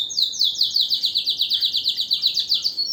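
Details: Canary delivering a powerful song: an even, rapid trill of high descending notes repeated about six times per second, steady and unbroken throughout.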